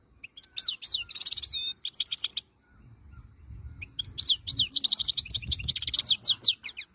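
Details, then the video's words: Goldfinch of the wild type delivering two bursts of liquid, twittering song with buzzy rattles and quick rising notes, split by a short pause over low background noise. "chant chardonneret 2022"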